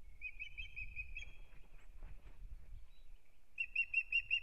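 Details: At a nest in Kurzeme, Latvia, an Osprey pair opens the new breeding season, 9 April 2022: a run of sharp, high whistled chirps at the start, a pause with rumbling background, then another bright chirping burst.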